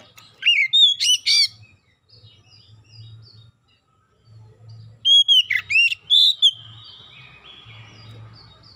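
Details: Oriental magpie-robin singing a lure song meant to provoke other birds into song: two bursts of loud, sweeping whistled notes with rich overtones, separated by a pause full of faint high warbling from other birds and a low steady hum.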